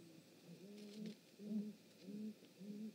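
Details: Great Grey Owl at its nest, male and female visiting, 19 March 2018, giving four soft, deep, short even hoots a little under a second apart over quiet background hiss.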